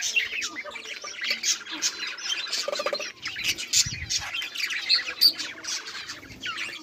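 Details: Several budgerigars on 18 July 2023 keep up a busy flock chatter of rapid chirps, squeaks and buzzy warbled phrases, nearly nonstop, with brief louder peaks and a faint low rumble beneath.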